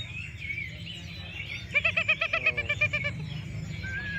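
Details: An orange-headed thrush at a songbird contest in Singaraja, Buleleng, Bali, gives a quick, rich phrase of about ten repeated harmonic notes lasting just over a second, against a steady crowd murmur and other faint birds.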